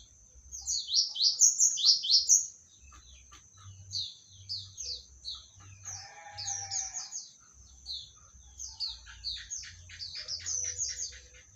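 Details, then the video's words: Oriental magpie-robin of the Medan type, described as newly acquired and unrivalled, sings a rich run of whistled, slurred and chattering phrases, bursts repeating about twice a second, over a steady high ringing tone and low background hum. "suara burung kacer medan"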